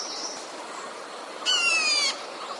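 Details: Red-whiskered bulbul kept as a trapping decoy produces one rasping, slightly descending call of about half a second with a layered buzzy texture, preceded by a faint high note against constant low hiss.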